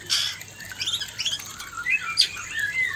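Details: Male white-rumped shama facing a fierce female: a brief jumble of quick high chirps and short whistles, fairly soft, over a low hum.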